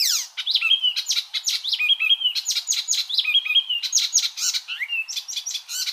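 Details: Icterine warbler singing a continuous varied medley of sharp chirps, rapid downslurred sweeps and clear whistled mid-pitched notes, delivered in fast rambling sequence, used as a model song for training cage birds.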